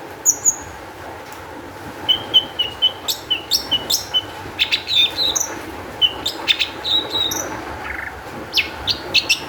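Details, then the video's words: Long-tailed shrike singing with high emotion, played to lure other shrikes into song: thin high whistles and short harsh chips, delivered in quick irregular clusters. "cendet gacor EMOSI TINGGI cocok untuk PANCINGAN CENDET AGAR BUNYI"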